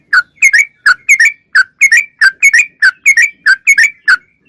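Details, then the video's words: Persistent song of a sooty-headed bulbul, recorded clearly for tutoring cage birds: evenly spaced bubbly whistles, often in doublets, rising then dropping, about one and a half phrases per second over near silence. "Suara Trucuk Gacor Super Jernih"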